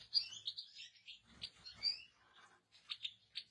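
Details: Softer goldfinch song of quick high chirps and slurred whistles strung together, with a short lull before a few final clipped notes.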